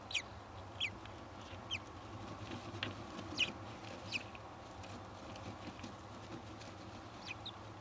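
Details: At a kestrel nest as the third egg hatches: a series of brief, high, downward-sliding chirps repeated irregularly every half second to a second, over a steady low droning hum.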